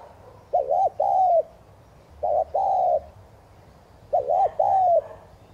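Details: Spotted dove thúc gù cooing, played to make newly caught doves coo. Three phrases about 1.8 seconds apart, each a brisk wavering double hoot then a longer, slightly falling hollow coo.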